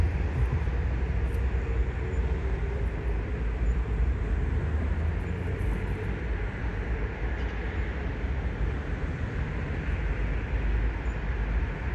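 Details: A steady low rumble of vehicles or a passing train fills an urban outdoor scene, with no animal calls heard.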